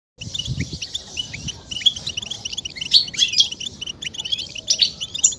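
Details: European goldfinch mating and readiness twitter, used to stimulate males to sing. Dense, rapid, high tinkling notes and buzzy trills run almost nonstop after a short silence, with a low thump near the start.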